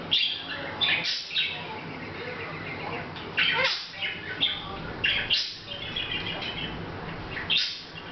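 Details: Hahn's macaw chatting without noticing the camera, August 2012; scattered rasping squawks and squeaky, babbling notes with brief gaps between phrases, over a constant low hum.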